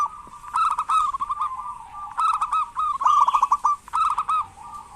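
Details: Local zebra dove in vigorous song, used to encourage lazy doves to call: continuous phrases of fast, rolling coos alternating with slightly drawn-out notes, with faint higher chirping behind.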